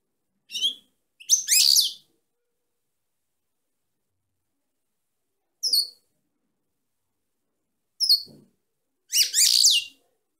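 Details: Female European goldfinch singing: brief high, tinkling downslurred notes, then two dense liquid twittering bursts, with long quiet gaps between phrases.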